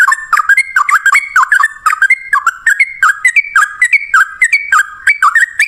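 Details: Sooty-headed bulbul singing lively 'ropel ngalas', a lure meant to draw replies from other bulbuls: continuous fast run of bubbly whistled notes dropping and rising in short phrases, several per second, without pause.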